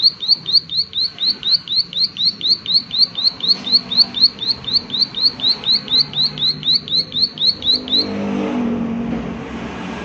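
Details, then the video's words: Rapid 'klik klik' calling from a prinia: bright, high descending clicks repeated about four times a second for eight seconds, then they stop and a passing vehicle's low rumble takes over. "Prenjak Klik Klik Gacor"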